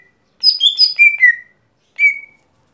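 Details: Lesser green leafbird, local name gotri, in everyday song: one cascading phrase of rich whistles stepping downward to a long low note, then after a short pause a single clear, level whistle.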